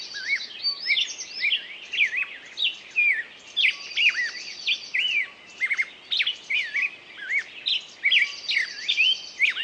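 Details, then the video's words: A bird's lively song of looping, slurred whistles in quick bursts, with a thin high buzzing trill returning now and then and a faint hiss underneath. "пение птицы"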